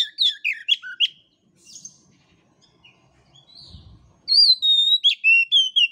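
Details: Oriental magpie-robin singing as a master recording for young or weak-voiced birds: quick chattering whistled notes, a quiet gap with faint low rustling, then clear, loud, drawn-out falling whistles repeated in a bright series.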